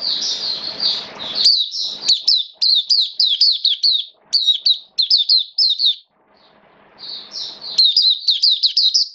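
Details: Oriental white-eye, a caged hobby songbird, singing in wet rainy weather: rapid series of sharp, high, downslurred chirps in energetic runs, a brief pause, then renewed bursts of thin twittering notes.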